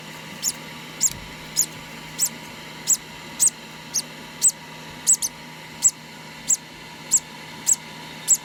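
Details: Conure chick two days old during hand-feeding, about sixteen sharp, very high peeps in a steady run roughly every half second, one pair coming close together, with a faint constant hum behind.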